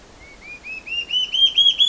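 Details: Song of the large-tailed antshrike, known in Brazil as borralhara-assobiadora: soft whistled notes that climb steadily in pitch and grow louder and closer together over two seconds.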